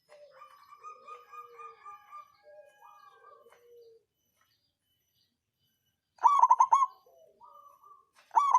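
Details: Local zebra dove of the songgo ratu type sings a lure song for rousing rivals and lazy birds: a burst of rapid rolling coos near the end, preceded by softer warbling and lower cooing from other birds.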